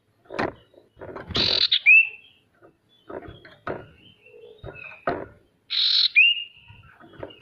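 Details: Male sirtu lure song for coaxing lazy birds to sing, with two harsh buzzy notes, each followed by a short rising whistle, among scattered clicks and low knocking sounds.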